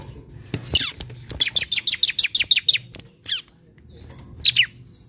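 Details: Relaxed, half-active olive-backed sunbird song meant to provoke singing: a fast run of about nine bright high chirps at an even pace, framed by sharp downslurred notes.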